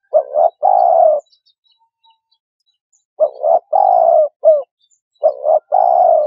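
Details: Three mellow cooing phrases from a spotted dove: a brief double note, a sustained coo and a short clipped note, separated by silent pauses.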